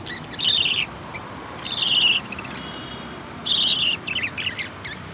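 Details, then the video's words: A lovebird gives three bursts of shrill, harsh chattering chirps about every one and a half seconds, then a few short squeaks, over a low steady hiss. "love bird sound"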